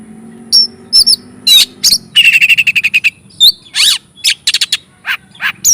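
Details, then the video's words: Oriental magpie-robin singing to excite rival magpie-robins: scattered sharp chips, a rapid stuttering run of repeated notes, a short upward whistle and harsh burry bursts, with a low background hum. "Burung Kacer Gacor Ngobra,PANCINGAN Efektif menaikkan emosi kacer"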